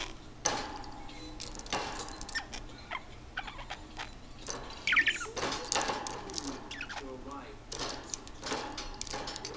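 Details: A pet parakeet sparring with his toy chatters in scratchy bursts, with short squeaky chirps and clicks coming every second or so, in a small indoor room.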